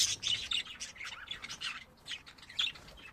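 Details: Pet budgerigars giving a dense stream of harsh high chirps and squawky warbles, very rapid and uneven, with almost no low background noise.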